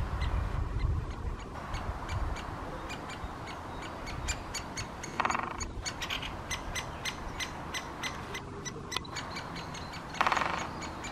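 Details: Great spotted woodpeckers on 24 May 2020, giving a long series of brief, evenly spaced, rasping calls in a fast rhythm, broken by two short louder noisy bursts, with low rumbling noise throughout.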